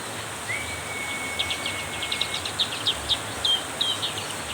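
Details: In heavy rain, a black-capped white-eye sings more intensely. A long, steady thin whistle comes first, then a run of quick, high, sharp chirps at a steady pace over the rain's hiss.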